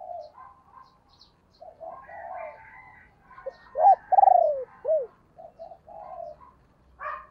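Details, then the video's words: Female spotted dove used as a decoy to provoke wild birds: soft murmuring coos build into a loud pulsed coo, a falling note and an arched note, then quieter coos resume. "cu mai gay kich boi nhanh noi"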